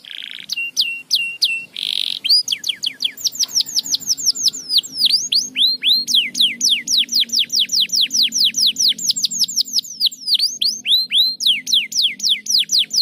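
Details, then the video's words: Canary singing to stimulate lazy canaries: short whistles and a buzzy burst, then a long fast sequence of repeated high whistled notes, some looping V-shaped, varying in pace. "muito eficaz para estimular o som do chilrear dos canários preguiçosos"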